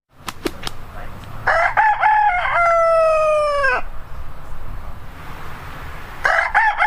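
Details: Rooster crowing once: a long, loud, harmonic-rich call that holds steady, then slides down and ends abruptly. A few sharp clicks come before it, and a second crow starts near the end.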